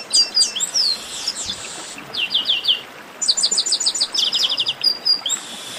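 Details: Dense 'baderna' chorus of chestnut-capped blackbirds aimed at stirring singing birds: nearly continuous slurred whistles and evenly spaced rapid chirp series, loud and busy throughout.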